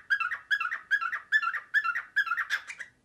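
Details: Imitating a printer, a male pet cockatiel repeats uniform warbled pulses about two and a half per second, six in steady rhythm before a final, brighter, more varied phrase trails off.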